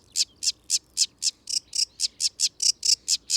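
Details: A sedge warbler in wet habitat of ditches and ponds sings a fast, loud, high-pitched, varied run of scratchy notes, about four to five a second; a couple more sedge warblers sing in the background.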